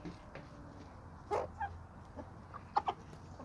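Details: Homestead flock of chickens and roosters on a small suburban homestead with sandy soils; a few short, scattered clucks over a low steady background hum.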